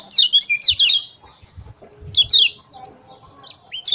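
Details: Lemon-bellied white-eye heard in the morning with quick clusters of high descending twitters, then a gap and more sliding chirps, soft low thumps and knocks underneath, a steady thin whine in the background.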